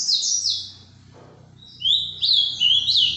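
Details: Ultramarine grosbeak (azulão), Paraná, sings high, sweet warbled phrases that slur up and down, with short pauses between bursts; a faint low hum lies underneath.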